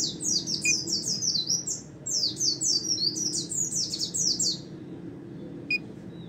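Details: White-eye (pleci) singing in the style called ngalas nembak: a rapid, very high, thin chatter of downslurred notes running almost without break for four and a half seconds, then a pause and one sharp note, over a low steady hum.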